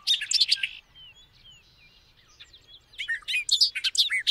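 Bobolink bursts of bubbly, metallic, tinkling notes tumbling rapidly at high pitch, with quieter thin slurred whistles between the two bursts.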